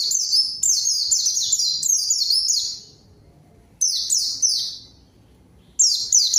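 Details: Lure song of a white-eye that provokes a rival into answering: bright, high whistled phrases of quickly repeated falling notes, a long burst followed by shorter ones after pauses, quiet surroundings.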